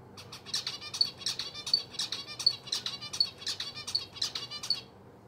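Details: Captive pet zebra finches at play give short, nasal, high chirps and tinny beeps, several birds calling over each other in quick irregular bursts, roughly one or two a second.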